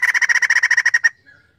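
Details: Crested laughingthrush singing loudly to provoke other birds into song: a fast run of about fifteen rhythmic pulsed notes near one pitch over one second, ending in a brief fading whistle.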